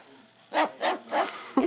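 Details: A 5-year-old female pet cockatoo gives four short, hoarse barks, a realistic copy of a dog's bark.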